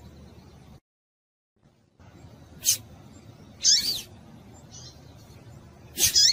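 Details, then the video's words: Calling female double-collared seedeater, used to excite males into singing: brief high-pitched chips with a downslurred tail, coming singly or as a quick doubled note every second or two. A near-silent gap sits early in the recording. "Melhor fêmea de coleiro quente para esquentar coleiro"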